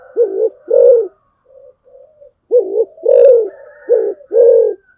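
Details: Spotted dove kept as a decoy, producing low hoarse two-part coos, a short note and then a longer one, with soft quieter coos between phrases and a faint thin higher whistle.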